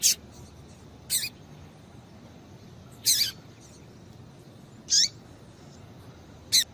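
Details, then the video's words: Female double-collared seedeater giving high, piercing chip notes that prompt the male to sing; five short, strong calls, some with a downward sweep, spaced one to two seconds apart, faint softer chirps between, light background hiss. "Piado de Fêmea de Coleiro para Esquentar Coleiro"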